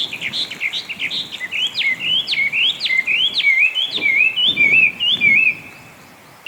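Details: Chinese hwamei, an introduced mimic now breeding wild throughout Japan, sings a lively series of loud, swooping whistles that rise and drop steeply, ending in a row of rolling, looping notes, then falls silent.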